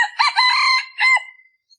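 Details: A single full crow from a male red junglefowl used as a decoy to lure wild junglefowl during the winter season: a loud, harsh, stretched multi-part crow ending in a shorter falling note, with no other sounds.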